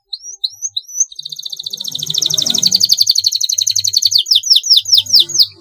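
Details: Canary singing a long rolling training-master song; a few upslurred whistles, then a long rapid rolling trill of repeated notes, ending in quick sweeping chirps.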